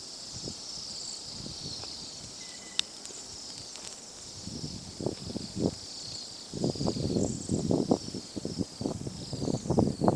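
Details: Several hundred Bohemian waxwings in trees in Edmonton in winter, during a brief warm spell, give a steady wash of very high, thin, buzzy trills; low rustling and thumps come through, heavier toward the end as the flock takes off together.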